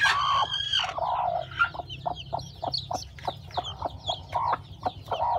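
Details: Chickens at a farm where chicks are hatching, with a loud drawn-out squawk at the start, then a busy run of short clucks and a higher chirping chorus above them.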